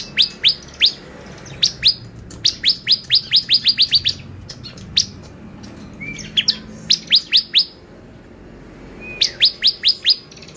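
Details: Bar-winged prinia lure song meant to make birds excited: rapid series of sharp, downward-sweeping high chips delivered in bursts of several notes, about two per second, with short pauses and a brief lower slurred note between.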